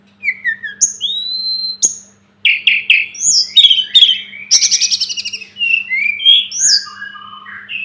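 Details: Sunda robin, local name tledekan gunung or sulingan gunung, singing in a masteran recording used to tutor cage birds: high whistled notes sliding downward, a rapid buzzy trill near the middle, then varied upslurred and downslurred whistles.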